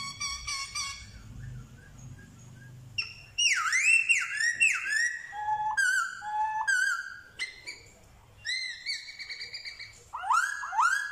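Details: Black-throated laughingthrush in Vietnam, a bird in training recorded around 15/10/2021, mimicking dogs, cats and chickens. Quick harmonic chips give way to loud, varied whistled phrases of arched and swooping notes, with low room hum at first.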